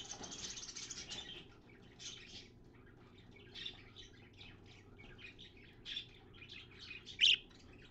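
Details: Caged parakeet cleaning its nest box, viewed via mirror; a burst of scratchy warbling at the start, then scattered soft twitters and one sharp loud chirp near the end.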